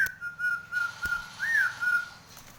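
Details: Nias hill myna in breeding condition, head-nodding, holds a steady level whistle for about two seconds with slight wavering and one rising-falling inflection midway, with a low background hum.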